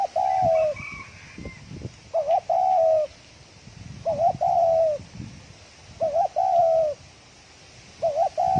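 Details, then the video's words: Spotted dove in fast thổ còi cooing: repeated phrases roughly every two seconds, each a quick double warble and then a sustained, gently falling coo, with faint background chirps and low thumps. "Tiếng chim cu gáy thổ còi tốc độ gáy cực nhanh"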